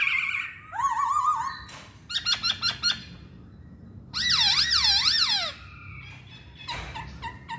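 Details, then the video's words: Masked laughingthrush song with a wavering whistle, a clipped series of sharp notes, then a loud, swooping phrase of rising and falling whistles, with softer calls near the end. "Kicauan Poksay Hongkong"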